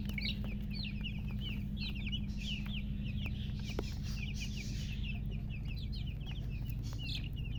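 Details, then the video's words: Just-born chicks calling loudly in rapid overlapping chirps, each a brief high note sliding down, with a heavy low rumbling hum throughout. "Tot Murgi chicks chirping sounds Just Born Baby Gallina FRACAS Chicks Piar Loudly Sound"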